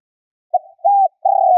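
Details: Decoy spotted dove cooing to lure wild doves. A soft opening coo and a level hoot are followed by a long low note that is cut off abruptly. No other sounds.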